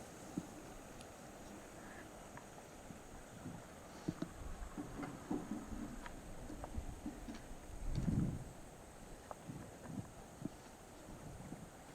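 Only scattered knocks, clicks and a low thump over steady background noise; no animal voice stands out.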